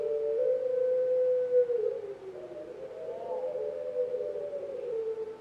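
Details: Pelung-type Barbary dove that once won a contest, recorded at a farm in Pakisaji, Malang: a long, steady, low coo that bends downward and swells into a wavering, drawn-out note.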